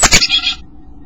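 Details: A very vocal chickadee, possibly male, calls loudly close up at a nest box on Feb 19, apparently to its mate calling in the distance outside: two sharp, loud notes then a short, buzzy, harsh 'dee', within half a second.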